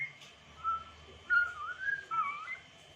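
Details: Smooth, gliding whistles from an African grey parrot, several fluid notes bending up and down in quick succession against a faint background hum.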